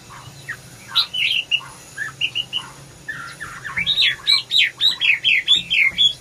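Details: Red-whiskered bulbul sings scattered short notes, then a fast, lively run of loud slurred and squeaky whistles, varied in pitch and tightly repeated, in a quiet setting.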